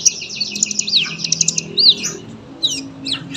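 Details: Sunbird, kept as a songbird for tutoring other birds, singing a long, dense high-pitched twittering stream of rapid chirps and trills, with a few clear rising-falling whistled notes and scattered sharp chips toward the end.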